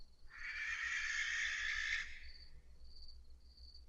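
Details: A barn owl (Tyto alba) gives one long, harsh, rasping screech lasting nearly two seconds, its most common call, followed by faint high hissy notes, a hiss used by chicks begging or adults warning intruders, over low rumble.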